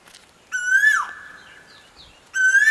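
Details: Koel singing: a loud whistled note that climbs slightly, then drops away sharply, heard twice about two seconds apart over a quiet background.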